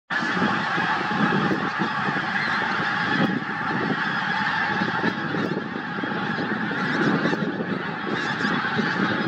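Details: Pink-footed goose (Anser brachyrhynchus) flock at Starene in 2023 gives a dense, continuous chorus of honking and cackling, many voices overlapping without pause.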